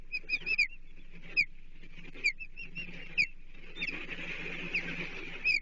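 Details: Osprey at a Chesapeake nest on 14 July 2023, with the sixth fish of the day, half a blueback herring; a series of clear whistled, down-slurred chirps, some in quick triplets, others spaced about a second apart, over steady low background hum.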